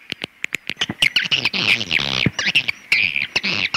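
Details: Swiftlet sounds: scattered dry clicks that lead into a dense, harsh chattering of buzzy twitters, then more isolated clicks and short chirps.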